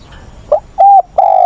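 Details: Spotted dove decoy in training, voiced like a stressed wild-caught bird (giọng bổi ức chế), dated 20/8; a short note, then a flat ringing coo, then a long sustained coo starting, all low and mellow.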